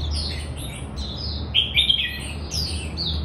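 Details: Red-whiskered bulbul (Pycnonotus jocosus), call.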